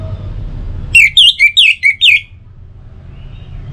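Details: Song of the orange-headed thrush, used as a lure for mornings and evenings to make birds sing: one quick run of six loud whistled notes that rise and fall, followed by quiet with a low background hum.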